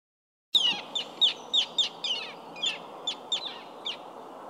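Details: Common tern (Sterna hirundo), call.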